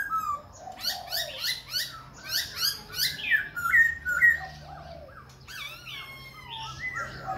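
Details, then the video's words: Fast, rhythmic series of buzzy, harsh notes, roughly two per second, from a dancing Khe Sanh laughingthrush that keeps switching voices, giving way to smoother looping whistles and slurred phrases. "Khướu Khe Sanh hót múa đảo giọng liên tục"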